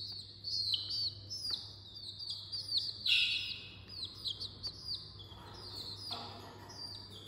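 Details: Small chicks in the early morning giving high, thin peeps that slide downward, repeated irregularly and sometimes overlapping, over a steady low electrical hum.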